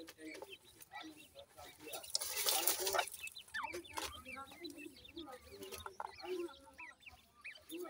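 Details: Chicks of the grey francolin, gora teetar, peeping in rapid, irregular bursts of thin rising chirps, with a loud noisy rustle early on and some lower, duller notes between them.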